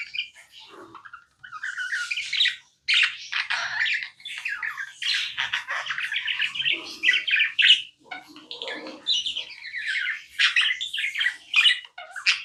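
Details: Continuous chirping from a tame pet budgerigar: dense, scratchy warbling with quick chirps packed closely together, barely pausing, over a dozen seconds of steady chatter.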